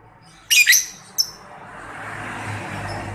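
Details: Harsh double screech and a brief sharp squeak from a young lovebird, used in Indonesia as a lure to make lovebirds answer. A soft hiss continues afterwards.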